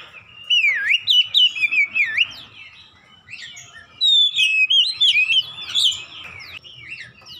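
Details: Oriental magpie-robin song played as therapy to get a bird that has stopped singing to sing actively again: two bursts of rich, varied whistled phrases with sweeping, rising and falling notes and quick chirps, separated by a short quiet gap.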